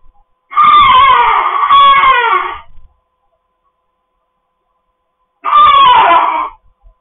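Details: A pet cockatoo gives two loud, harsh, rasping screeches, the first about two seconds long and the second shorter, with a silent pause between them.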